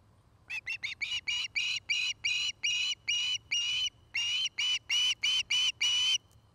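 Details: From a Charlo, Montana osprey nest camera dated 09-05-2018: a steady chain of high, strident whistled calls, starting with quick short notes and settling into longer, evenly spaced ones.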